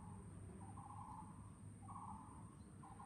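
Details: Taiwan barbet in Chunghsing New Village, Nantou, Taiwan, 12 April 2018, repeating deep, hollow two-step notes, a short lead note then a longer held tone, about once a second, partly masked by low droning background noise.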